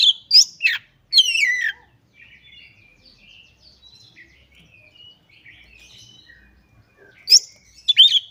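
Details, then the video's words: Oriental magpie-robin (kacer) singing vigorously while ruffling and displaying (ngobra), showing off its imitated repertoire (isian): loud buzzy, sweeping whistled phrases, then a long quiet stretch of faint twittering before sharp high notes return. "Burung Kacer Gacor Ngobra Suara Menggila Bongkar Isian"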